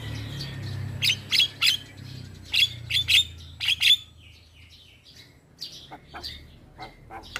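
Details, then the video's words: Black-winged myna, young male, singing to tutor and calm stressed mynas: loud sharp whistled chips in spaced pairs and triplets, then softer scattered notes, with a low hum in the background. "Jalak Kebo Jantan Muda Gacor PAs Buat Masteran dan terapi Burung Jalak Stres"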